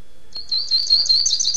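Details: High, hurried twitter from a double-collared seedeater, Niterói, Rio de Janeiro, in the tirano song style: a string of quick chips and buzzy slurred notes rising slightly toward the end.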